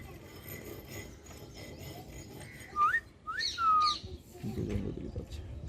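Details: Pet cockatiel whistling in short bursts: a quick rising whistle, then a swooping note and a longer, clear falling whistle. A person speaks Bengali softly before and after.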